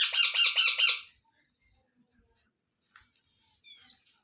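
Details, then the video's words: Indian ringneck parrot chicks being fed by an adult; one burst of quick, harsh, pulsed squawks about a second long, then near silence with a few faint soft notes and a brief whistled sound. "Ringnaeck Parrot Natural Sounds | Baby Parrot Sounds"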